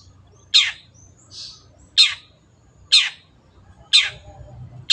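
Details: Long-tailed shrike (cendet), actively singing, as training audio for kept birds: four loud, raspy downslurred shrieks about a second apart, with soft hissy notes between.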